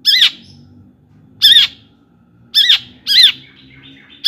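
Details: Long-tailed shrike giving four harsh, high squawks with a downward slur, spaced irregularly about a second apart, used as a lure to excite other shrikes; a soft low hum runs underneath.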